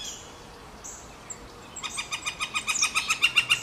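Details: Northern flicker pair: after almost two seconds of faint, high chirps from other birds, a loud, rapid run of evenly spaced, nasal, harmonic notes begins and grows stronger, about fourteen notes in under two seconds.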